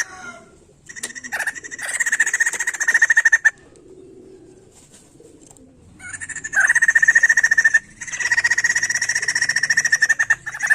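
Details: White-crested laughingthrush song for stimulating other songbirds: long, loud rattling trills of rapidly pulsed notes, split by a quiet pause of about two seconds, then an extended chatter running to the end.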